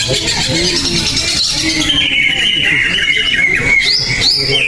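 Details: Greater green leafbird singing in a contest after an earlier first-place win: a busy high chatter gives way to clear whistled slurs and sharp upward flicks near the end, with voices of the crowd throughout.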